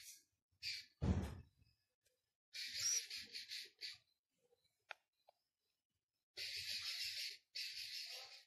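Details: Six-day-old Philippine scops owl chick in captivity at Prague Zoo, giving harsh, breathy hissing bursts of about half a second to a second, with short pauses between them, and a brief low thump early on.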